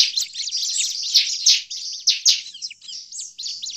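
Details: Noisy bar-winged prinia calls for luring birds: rapid high buzzy chirps with a few louder sharp accents, then thinner arched twitters toward the end.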